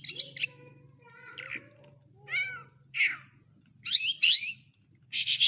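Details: A lark in Quetta sings bright, high phrases of quick whistled and buzzy notes, some sliding up or down, separated by short pauses, over a faint low hum.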